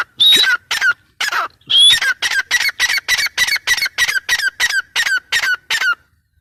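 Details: Female grey francolin: two harsh whistled phrases, then a fast, even series of about fifteen short, scratchy clipped notes, each slightly downslurred, delivered evenly over four seconds.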